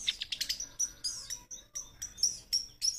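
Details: Young long-tailed shrike, described as full of fighting spirit, giving quick bursts of sharp, high chirps and short trills separated by brief pauses.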